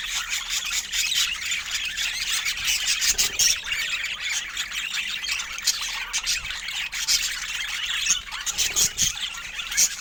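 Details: Budgerigars kept as pets giving dense, continuous high-pitched chattering and squawks with scattered sharp chirps, a busy flock sound running throughout.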